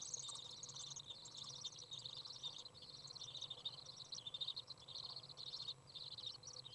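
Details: Young Common Swifts fed by a parent after leaving the nest, very warm 30 °C day, 27 June 2011; rapid chirping twitters in bursts, high and trilled, with brief pauses and a low hum behind.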